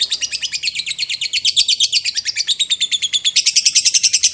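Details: Lovebird performing its long 'ngekek' chatter, a lure to excite other lovebirds: a dense, unbroken, rattling high trill of rapid notes, about seven per second, holding on and getting slightly brighter toward the end.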